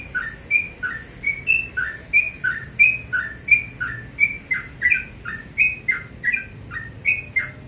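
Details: Sooty-headed bulbul singing in the morning: short paired whistled notes, a higher slurred note then a lower falling one, repeated rapidly and steadily across the whole stretch, with a faint low background hum.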